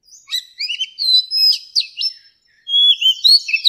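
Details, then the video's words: Softer song from an old wild-caught Oriental magpie-robin: drawn-out whistles and short chirps, a brief pause, then a louder rising whistled phrase. "Tiếng Chòe Than Già Rừng CHUẨN HAY DÙNG ép luyện giọng Chim Non"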